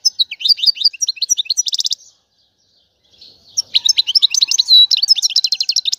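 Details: Mating and readiness twitter of a European goldfinch, played to stimulate males into song: rapid high chirps ending in a dense buzzy trill, a short pause, then a fresh run of liquid twittering notes.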